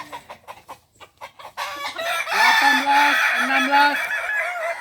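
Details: Balenggek rooster at a crowing practice contest in Ampang Kualo, Solok: sharp clicking taps first, then a loud, rich crow with a low, flat, stepped tone below it, held for over two seconds.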